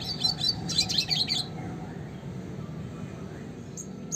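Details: Red siskin classic song, for training songbirds: a burst of fast high twittering about a second and a half long, then near silence with faint distant chips.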